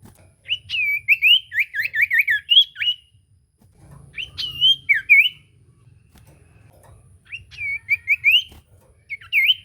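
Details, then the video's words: Common iora singing to provoke a silent bird into song: bursts of clear whistled notes, rapidly repeated in wavering rising-falling phrases, three bouts separated by pauses, with faint low hum beneath. "Burung sirtu cipoh gacor pancingan ampuh bikin cipoh macet bunyi langsung nyaut"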